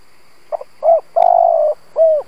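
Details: Lure spotted dove cooing to draw in rival doves: a soft double stutter, a full rounded coo, a drawn-out throbbing coo and a final downward-curving coo, clean and close.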